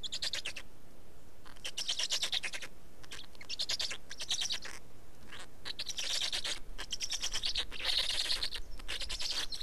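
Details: Black storks at their nest in Estonia during feeding, 19 May 2019, mid-afternoon: harsh, rasping, rapidly pulsed bursts of a second or two, repeated with short gaps, over steady low background noise.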